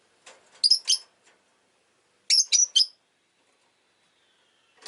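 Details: Harsh, high chirping from a pet rosy-faced lovebird, two quick clusters of three or four scratchy notes separated by a short pause, ending on the start of another note.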